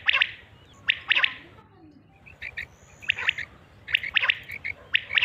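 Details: Quail (batair) calls used for hunting, from Mianwali: short, sharp, buzzy bursts in tight groups of two or three, spaced by pauses of about a second, with a quiet rural background.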